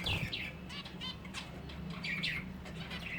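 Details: Finches kept for breeding, heard as dense overlapping chirps and short down-slurred tweets from several birds, with a low steady hum underneath.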